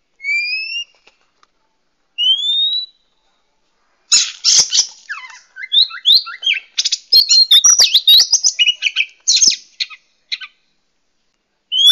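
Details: Oriental magpie-robin, a female said to be calling males, used as a lure for wild birds: two rising whistles, then a dense, hurried burst of varied chirps, trills and scratchy high notes, ending with another upslurred whistle.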